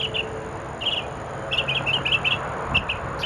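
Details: Mockingbird at 17:30 on 6 October 2013, singing in the evening: brief warbled note groups repeated in quick pairs and triplets, set against steady background noise.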